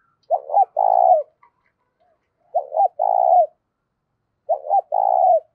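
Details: Spotted dove cooing, played daily to stir up decoy doves, loud and clear with little background noise: a short stuttered double note then a longer buzzy coo, the phrase repeated about every two seconds, three times.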